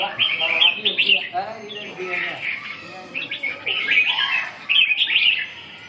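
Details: Red-whiskered bulbul singing short, bright, warbled phrases in quick bursts, with a pause near the middle before more chirpy notes; low voices murmur faintly underneath.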